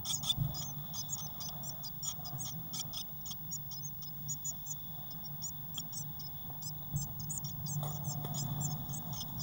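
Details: Inside a crowded nest box on 22 May 2019, six Eurasian blue tit chicks give fast, scattered high-pitched cheeps, sometimes in clusters and sometimes thinning out, over a steady low hum.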